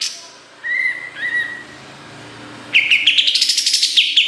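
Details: Kapas tembak singing on a master recording for training songbirds: soft whistled notes, then a fast run of sharp repeated chirps that rise and fall in a rapid trill.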